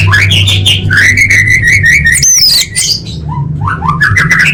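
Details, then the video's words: Orange-headed thrush female calling for males, used as a lure for birds that have stopped singing. The phrases are rich and warbled with a long wavering whistle, then a pause and short upslurred notes, over a low hum. "Suara Anis Merah Betina Gacor Untuk Memancing Burung Macet Bunyi"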